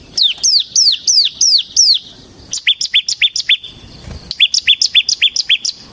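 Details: Bar-winged prinia, semi type, in vigorous ngebren song meant to provoke kristal prinias and serve as tutor song. Six loud, high downslurred notes are followed by two quick series of clipped, repeated chips.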